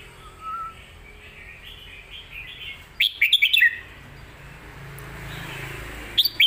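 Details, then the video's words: Red-whiskered bulbul song phrases for teaching young birds: two short, bright, warbled bursts, near the middle and at the end, over a quiet background with faint, soft distant chirps. "สำนวนครบเครื่อง"ร้องดี ปากไว(ไว้สอนลูกนก)#เสียงนกกรงหัวจุก"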